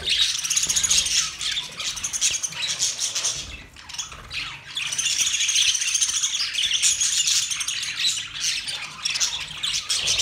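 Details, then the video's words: Budgerigars, Australian parrots, chirping continuously in a dense, overlapping chorus of scratchy warbles and squawky chatter with no pauses. "Budgies chirping sound"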